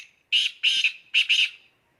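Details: Black francolin calling in high spirits, giving three loud, harsh, grating notes, the second and third doubled, spread over about one and a half seconds in otherwise quiet surroundings.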